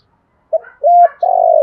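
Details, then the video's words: A fragment of spotted dove song in the fast 'kích bổi' style: a short note, a steady coo and the start of a long, rolling, slowly falling coo, cut off abruptly. "Tiếng chim cu gáy giọng kích bổi nhanh nỏi"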